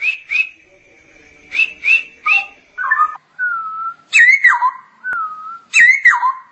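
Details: Straw-headed bulbul in full song: loud clear whistles and downward-slurred, liquid phrases, some held steady, others dipping in pitch, delivered in bursts with short pauses, against a quiet background.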